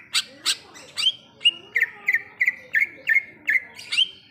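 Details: Greater green leafbird singing in the wild: a run of short, sharp whistled notes near the same pitch, about three every second, some with a rising flick, opening with a few harsher broad chips.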